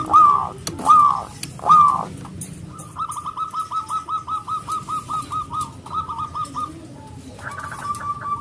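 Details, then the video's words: Local Indonesian-type zebra dove with a big voice, singing to call rivals: three loud hooked cooing phrases near one pitch, then a fast even string of short stuttering notes, with a quieter closing trill. "perkutut lokal gacor suara besar super ampuh memanggil lawan EMOSI MANGGUNG"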